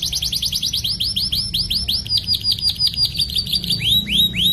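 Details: Long rolling canary song used as a master for other canaries: a long series of repeated sweeping syllables that gradually slow, finishing with loud down-slurred whistles.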